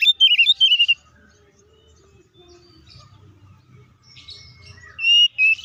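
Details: Oriental magpie-robin (kacer) in loud ngeplong fighting-style song, used to provoke other magpie-robins into anger; two short bursts of high, sliding whistled notes at the start and end, separated by a quiet pause with faint low background rumble.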